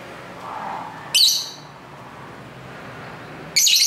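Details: Lovebirds kept at home chatter to each other near a main street; two sharp, high, harsh squeaky chirps spaced about two and a half seconds apart over constant traffic hiss.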